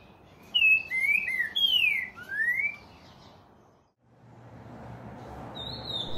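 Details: Green-winged Saltator of Brazil giving one phrase of loud slurred whistles, rising and falling. Background hiss then follows, and near the end comes a thin, high, level whistle.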